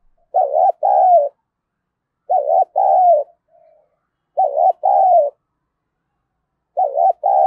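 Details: Fighting-provoking call of a decoy spotted dove, 'hạp bổi' voice: four evenly delivered phrases roughly two seconds apart, each two clipped notes then a longer falling coo, with a faint soft note between.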